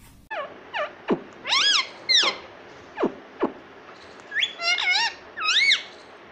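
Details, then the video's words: Rose-ringed parakeet kept as a pet, known for saying 'mummy' and 'papa': a run of sharp downward-sweeping squeaks mixed with longer arching, voice-like syllables, some bunched in quick pairs. "मम्मी मम्मी बोलता तोता - पापा बोलने वाला तोता"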